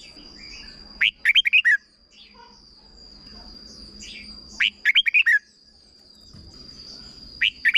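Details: Short doubled song of a red-whiskered bulbul from Thailand, used for tutoring young birds. Bubbly five-note phrases are repeated about every three and a half seconds. A final phrase begins at the end, and a constant thin whine sits beneath.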